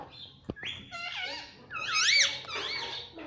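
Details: Pet Indian ringneck parakeet chirping indoors: a sharp click, then a run of wavering, squeaky harmonic notes that rise and fall, growing louder near the end, over a low room hum.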